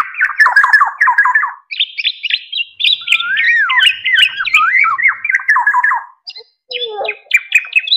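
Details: Black-naped oriole (golden oriole, kepodang emas) lure and tutor recording: rapid runs of harsh, nasal chattering notes mixed with fluid, looping whistles, repeated in quick bursts with brief pauses.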